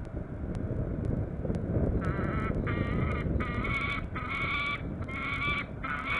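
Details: A peregrine falcon at its nest on Norwich Cathedral, UK, August 27, 2014, gives a run of six harsh, nasal, drawn-out calls, each under a second, over a steady low rumble of wind or traffic.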